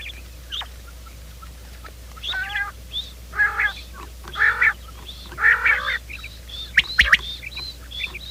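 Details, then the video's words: Morning quail calling sound meant to attract quail into traps: a series of buzzy, stacked double notes building in loudness, nearly one per second, mixed with short high whistled chirps and a couple of sharp clicks. "Bater ki awaaz , batair ki subbha keliey awaz 2025 , batair ki awaz , bater ka awaaz, quail sound"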